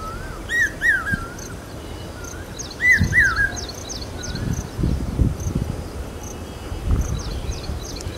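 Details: Common hawk-cuckoo near Aurangabad, loud in the monsoon and said to herald rain: two short bursts of two or three whistled, slurred notes, while higher quick chirps from another bird repeat and a dull rumble runs beneath.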